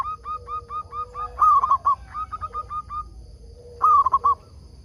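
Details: Local zebra dove used as a lure bird to draw wild doves into answering, singing vigorously: rapid series of short cooing notes on one pitch, with two louder rolling phrases and a fainter second series overlapping.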